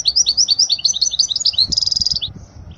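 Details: European goldfinch song used for teaching young birds: a fast, liquid twittering of short rising and falling notes, ending in a harsh, buzzy nasal note held about half a second, with faint low rumble beneath.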